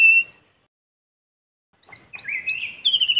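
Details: White-rumped shama singing in forest with no background noise, a lure song meant to rouse other shamas: a brief clear whistle, a pause, then a run of rich, looping whistled notes with rising and falling phrases.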